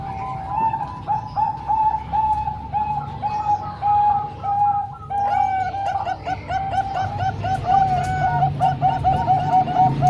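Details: Zebra doves, three Bangkok-type plus one local bird, combined to train young birds: long stretch of overlapping soft coos, repeated notes sliding slightly, several voices blending into a continuous bubbling chorus.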